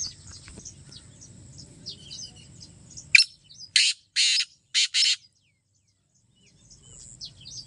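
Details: Soft twittering of small birds and low hum give way to a black francolin's loud series of five harsh, scratchy notes, the last two closely paired, before quiet chirps resume.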